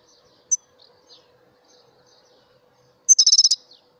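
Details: European goldfinch of a mutation form: an isolated sharp chirp and a few soft twitters, then near the end a loud, rapid burst of high trilled notes repeated about seven times.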